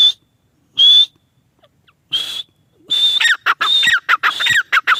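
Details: Female grey francolin: several separate high, thin whistles with gaps between them, then a rapid rhythmic sequence of whistles broken by harsh, descending squawky notes.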